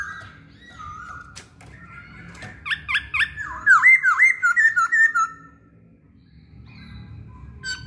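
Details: Masked laughingthrush singing actively, a bird meant to provoke others into song: soft whistles build into a fast run of loud, ringing arched notes repeated about seven times, then quiet.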